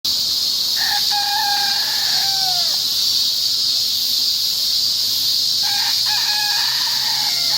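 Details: Rooster of unknown breed recorded on 22 August 2015, crowing twice: a drawn-out harmonic crow that falls at its end, a pause of about three seconds, then a second crow, all over a loud, steady chorus of cicadas.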